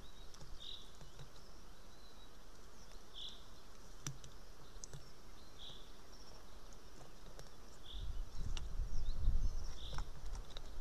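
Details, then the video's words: A juvenile white-tailed eagle screams near the nest while the adult female eats a fish, 8:36 am, 8 July 2018; five short high squeals come roughly every two seconds over a steady hiss, with occasional ticks and a rumble near the end. "Merikotkas~Suvi brings a fish /Sulvi is screaming near~"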